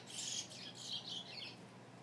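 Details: A chestnut-bellied seed finch (Sporophila angolensis) singing at home gives a quick run of high, bright warbled notes that slide and dip over about a second and a half, against a faint hiss.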